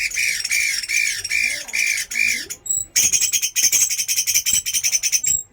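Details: Chinese hwamei in a fighting trial: a steady series of five or six harsh, arched squawking notes, followed by a dense, chattering, noisy rush of rapid scratchy sounds.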